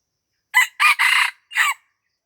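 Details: Lamteuba, Aceh: a red junglefowl lured near houses crows once, four hoarse notes run together. A sharp short note, a longer rasping stretch, a pause, then a clipped ending, with silence around it.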